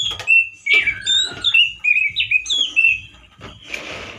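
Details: Male orange-headed thrush singing loudly and roughly, like in the wild, with few variations. A fast string of sharp, sliding whistles and chirps runs together, ending with a rasping burst over background hum.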